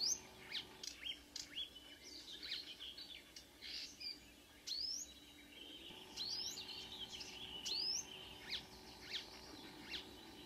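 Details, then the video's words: Marsh warbler, a mimicking singer, at dawn on 2 June 2009 near Ski, Norway; varied high twittering with sharp rising whistled notes and scratchy chatter, irregularly spaced, over faint low hum. "The song of a *Acrocephalus palustris* Myrsanger / Marsh Warbler"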